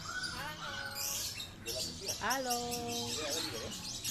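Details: Common hill myna kept as a pet, talking with speech-like, harmonic phrases that rise and fall, several stacked tones in quick succession, amid a person's voice greeting it.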